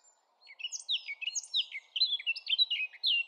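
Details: Song of a Eurasian blackcap: after a brief pause, a quick run of clear whistled and slurred notes that swoop up and down, growing louder toward the end.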